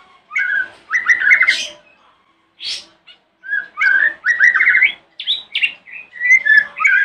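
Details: Morning song of a white-rumped shama, used to provoke rival shamas to respond: loud, varied whistles and fast trilled warbles in separate phrases, with a few sharp higher notes between them.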